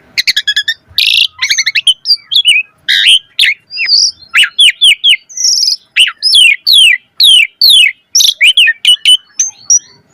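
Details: Asian pied starling in full varied song meant to prompt starlings to sing: fast rattling chatter, squawks, then a long run of downslurred whistled notes about two per second, mixed with buzzy rasps.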